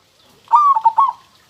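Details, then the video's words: Single song phrase from a local zebra dove with a super crystal-clear voice: a sustained mellow coo running straight into two short rounded notes and a final longer coo, clean with no background sound. "suara perkutut lokal super kristal"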